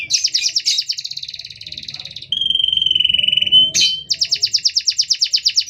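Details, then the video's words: Continuous canary song with tight pauses, played to teach or provoke other canaries: a fast pulsing high trill, a smooth lower rolling trill, then a sharp upsweep and another rapid repeated trill. "Suara Kenari Gacor panjang Jeda rapat"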